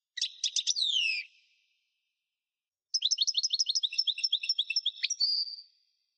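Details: European goldfinch song played to encourage captive birds to sing: a burst of bright chirps and descending whistles, a pause, then a longer run of rapid twittering notes ending in a drawn-out buzzy trill.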